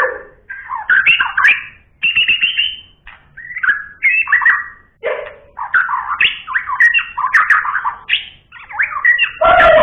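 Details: Lively song of a White-rumped shama: rapid sequences of rich, varied whistles and chattering notes, mostly mid-pitched, delivered in bursts of one to two seconds separated by short gaps.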